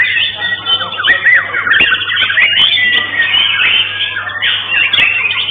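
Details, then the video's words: White-rumped shama, a caged bird in a singing contest, taking second place in session 2 of a central-block meet; dense continuous song of varied whistled and chattering phrases with rapid trills, steady hum underneath. "Juara 2 Murai Batu PRPP"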